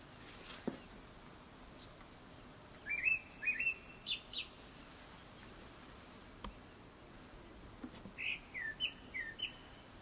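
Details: Fairly distant Japanese thrush singing before sunset: two phrases of quick whistled notes, some rising, the second phrase after a gap of about four seconds, with a soft steady hiss behind.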